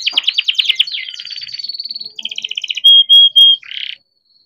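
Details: Young captive-bred canary in full rolling song, used as a lure to get other canaries singing: fast buzzy trills and rolled phrases sliding downward, then three loud pure whistled notes and a final rattling burst before silence.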